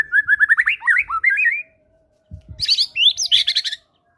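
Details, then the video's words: White-rumped shama, a caged fighter bird singing lively lure song with gelatik batu material, used to prompt silent birds to show their repertoire: a rising series of clear mid-pitched whistled notes, a pause, then a dense burst of high twittering. "PANCINGAN MURAI BATU FIGHTER GACOR BONGKAR MATERI GELATIK BATU"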